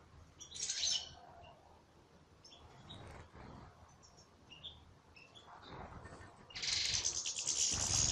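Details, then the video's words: A European goldfinch in salaka song gives a bright chirp burst, then sparse soft twitters and short whistled notes, and finally a loud, dense, buzzy chatter. "مقطع رائع لطائر للحسون فى السلاكة"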